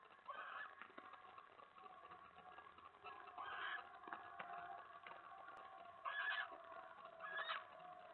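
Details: Male eastern screech owl chittering at night in a nest box shared with its mate, in February, after she scolds him over her mouse; short raspy bursts break through a steady hissing background about three times.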